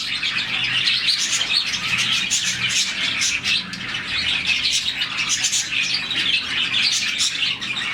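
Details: Colony of around 40 captive budgies chirping in the morning, a sound said to show they are happy; dense, continuous overlapping high twittering and chattering from many birds at once, with a faint low hum beneath.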